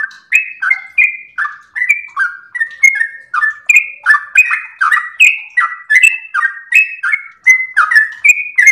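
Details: Trucukan, the sooty-headed bulbul, singing nonstop for training captive birds: about forty bubbling phrases a minute, each a short downward-slurred warble paired with a sharp high click, pitch shifting up and down.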